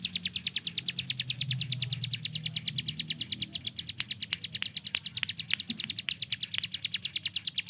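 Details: Caged hill prinia, used to teach speed to other songbirds, firing an unbroken run of crisp, high chips at about three per second. A few thin, sharp ticks are scattered through the later part.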